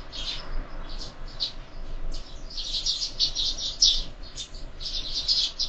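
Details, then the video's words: Sparrows at a window-mounted feeder during morning feeding, giving short bright chirps in dense overlapping bursts, several birds calling at once with brief pauses. "Воробьи в кормушке - завтрак"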